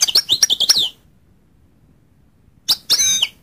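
A goldfinch gives a bright, tinkling run of high twittering notes, then after a pause a second short burst of liquid chirps.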